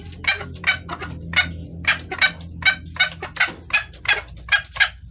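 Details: Junglefowl hen calling a male, a clear call for attracting males: about a dozen harsh, rasping clucks in quick uneven succession over steady low background noise.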